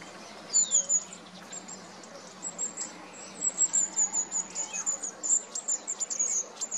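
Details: Long-tailed tit: after a brief downslurred whistle and a lull, a lengthening stream of very high, thin, sibilant notes delivered rapidly and continuously, with faint lower twittering and light background noise.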